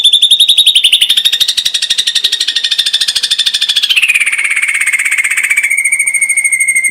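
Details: Close, rapid-shot 'tembakan' phrase of an ashy drongo, intended as tutor material for other songbirds: continuous fast pulsed rattle sliding from a higher to a lower pitch, steady and loud throughout.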